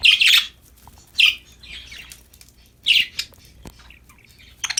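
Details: Happy, playing budgerigars kept as pets utter short raspy chirps and squawks in separated bursts, with softer chattering notes and a faint tap between calls.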